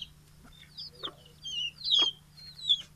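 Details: Hen among many chickens of different sizes calling in the morning when let out of the coop and fed, Mymensingh, Bangladesh, 6 October 2018: a handful of short, sharp, squeaky calls, uneven in pace, over a low steady electrical hum.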